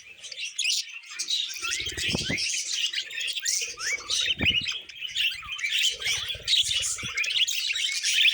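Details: Several pet budgerigars singing while eating vegetables: a dense, continuous chatter of high warbles, squeaks and rapid chirps, with low thumps and crunching from feeding mixed in.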